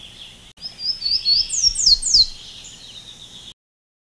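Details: Golden-crowned Warbler, Basileuterus culicivorus, in Costa Rica: a short phrase of clear, high whistled notes, each sharply slurred downward, growing louder and ending in two strong down-slurs, over a steady insect-like hiss.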